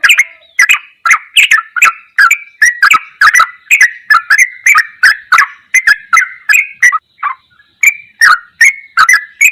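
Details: Sooty-headed bulbul delivering ropelan goklikan masteran song: dense, rhythmic chirping whistles with crisp clicks, running unbroken for several seconds before a short pause and renewed phrases.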